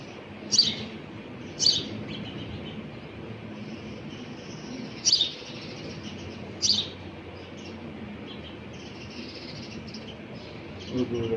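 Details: Sparrow chick calling its mother for food. Short, sharp high chirps come singly or in brief bursts several seconds apart over steady low background hiss.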